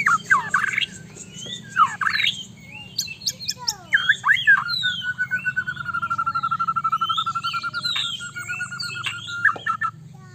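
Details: White-rumped shama song meant to provoke a quick response from another shama: varied sweeping whistles and slurred notes, then a long steady mid-pitched trill lasting several seconds, over a low constant hum.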